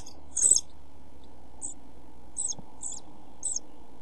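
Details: Pied flycatcher chicks in a nest box during a hot spell with little food: one loud, short, high hissing burst, then a few fainter, spaced begging squeaks over near-silence, with one low thump.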